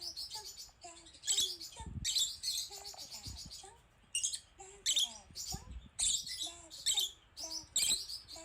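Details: Rosy-faced lovebird hen reacting in panic to seeing herself on screen: a long run of shrill, scratchy chirps at irregular intervals, mixed with short, low, wavering whistles.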